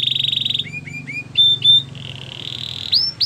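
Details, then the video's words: Belgian canary song, softer here: a steady buzzy tone, a few short hooked whistles, a level ringing note, then rising sweeps, over a low background hum. "Belgian canary song"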